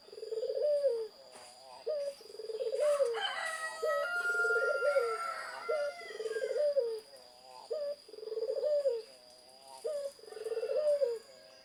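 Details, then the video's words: Zebra dove delivering a long run of cooing phrases, brief clipped notes between rolling, arched trills, repeated about every two seconds, with a burst of other birdsong and a thin high tone midway. "Burung Perkutut Gacor"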